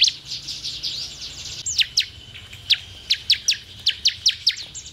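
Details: Bar-winged prinia song used to stimulate other prinias to sing: a brief run of thin, high twittering, then about a dozen sharp, downslurred chips repeated several times a second.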